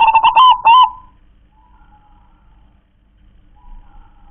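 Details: Local zebra dove from the wild, song style called KONG KLAR-KE-TEK-KONG: one short burst of stuttering cooing notes with a hoarse overtone, followed by near silence.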